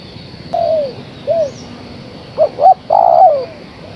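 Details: Cooing of a female spotted dove calling the male. Single falling coos are followed by two quick short notes and a drawn-out coo that sinks at the end, against a faint steady hum.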